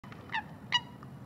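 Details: Eurasian coot giving two short, nasal, honk-like calls about 0.4 seconds apart, each with a ringing harmonic tone, over a faint low background hum.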